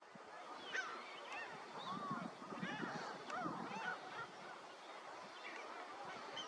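A dense chorus of Greater flamingos: overlapping nasal, goose-like honks and gabbling calls, constant throughout, with no other clear sounds.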